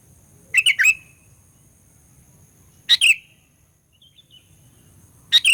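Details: Sooty-headed bulbul 'gacor fighter' lure song meant to stir rival bulbuls: clear whistled phrases of two or three chirpy notes, spaced a few seconds apart, with faint high chips between them and a low steady hum.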